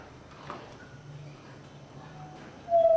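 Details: A solitary tinamou in Brazil gives a loud, pure, mid-pitched whistle that starts slightly higher then holds steady, coming after quiet low background hum.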